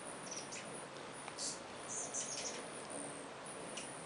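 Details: Many hummingbirds swarming around feeders in early spring while migrating back; thin, high squeaky chips and short twitters come in scattered bursts over a steady background hiss.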